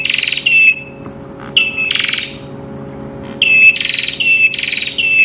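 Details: A red-headed prinia (prenjak kepala merah), noted for its crystal-clear voice, sings harsh, buzzy bursts, each ending in a brief clear whistle, repeating about every second over a faint steady electrical hum.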